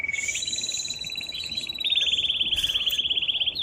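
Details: Excited male canary singing strongly to stimulate a female to mate: a rapid rolling trill around mid-high pitch that steadies and grows louder into a fast, even run of beaded notes.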